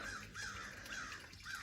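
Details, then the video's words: Crows give four hoarse, arched caws about half a second apart on a homestead garden in the morning while hummingbirds are active, over a soft outdoor hum and low rumble. "those are the crows you're hearing and the hummingbirds are super active this morning"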